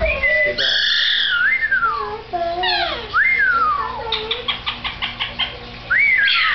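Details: Pet parrot at home with its owner, giving loud whistled notes that slide up and down, then a quick burst of short repeated pulses and a final rising-falling whistle, all over steady low room hum.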